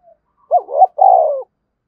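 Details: Spotted dove cooing vigorously in the thúc bổi calling style. A single loud two-part phrase: a short wavering, hiccuping note, a brief gap, then a longer, steady, slightly falling coo. Otherwise quiet.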